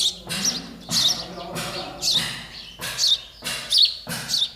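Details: Sparrow nestlings waiting for their mother and father to feed them, giving bursts of harsh, high chirping roughly every second, with low rumbling background noise between bursts.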